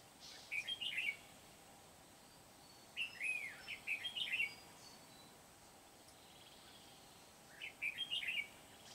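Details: Highly energetic Red-whiskered bulbul decoy for trapping wild bulbuls, Kim Bôi, Hòa Bình, Vietnam, 8 September 2019; three bright, rapid warbled phrases of tumbling whistled notes, each about a second long, roughly three seconds apart.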